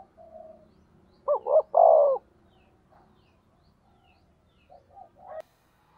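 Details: Decoy spotted dove meant to provoke rival males: a clear three-note coo with two short notes and a long falling note, plus a few soft scattered coos before and after.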